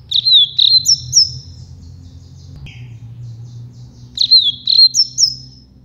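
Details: A double-collared seedeater sings its campainha song, also called carretilha or flauteado, used to train young birds: quick, clear whistled notes, some sliding, given twice with a pause, over a faint low hum.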